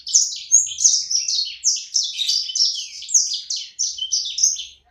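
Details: Energetic little sanger bird kept as a pet gives a continuous stream of high, downslurred whistled notes, each about a third of a second, in a busy chattering warble with no other sounds.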